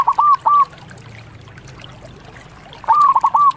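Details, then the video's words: Local zebra dove: a short burst of rising, rolling coo notes at the start, a quiet pause with faint low hum, then a second similar stepped cooing phrase at the end. "MASTERAN PERKUTUT LOKAL GACOR"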